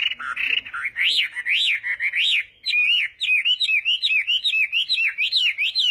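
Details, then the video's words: Chinese hwamei contest singing at morning voice practice: loud peaked whistles repeated about once per half second, followed by a faster string of short up-and-down whistled notes. "Hoạ Mi Hót Đấu /hoạ mi hót sáng luyện giọng"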